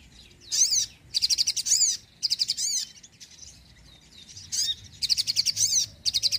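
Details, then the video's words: Loud, bright sogon chirping in fast repeated high notes grouped into two long phrases with a pause between, intended to lure birds and prompt sluggish birds to sing. "sogon gacor penarik burung bahan & malas bunyi"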